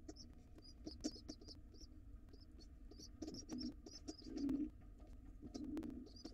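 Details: Wild pigeon nestlings in a nest box begging to be fed as their father returns; low cooing pulses and bursts of high, thin squeaky notes repeat in uneven clusters, with background rumble throughout.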